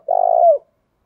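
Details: Single drawn-out low coo from a decoy spotted dove, smooth and steady, dropping slightly at the end; no other sounds.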